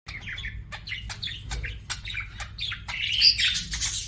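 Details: Pet budgie singing: a run of quick chirps and warbled notes, short rising and falling twitters packed closely together and growing denser and louder toward the end.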